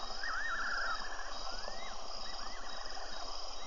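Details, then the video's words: Possible fiery-necked nightjar recorded on 24 February by a wildlife webcam at Tembe: faint wavering, slurred whistles, one quavering note then softer rising-and-falling phrases, over steady hiss and low rumble. "Mystery Sound-fiery necked night jar?"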